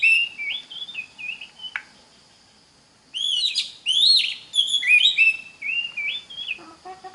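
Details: Oriental magpie-robin song used as a teaching recording for young magpie-robins learning to sing: varied whistled phrases around the upper-middle range, sliding and warbling, with a silent pause mid-clip before a louder burst of rich, rising and falling notes.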